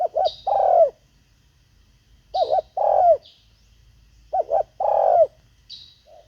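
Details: Spotted dove at a decoy-luring session, giving three phrases of two quick hooked coos and one long falling coo, roughly every two seconds, each with a high chirp alongside.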